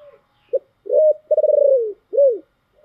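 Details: Spotted dove singing giọng thổ style: a brief note, a rising coo, a long pulsing coo that slides down, then an arched final coo, deep and clear over silence.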